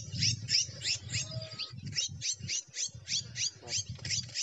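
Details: Red-cowled cardinal, gavião-style song: a quick, even series of high down-slurred chirps, roughly three each second, with a constant low rumbling hum beneath.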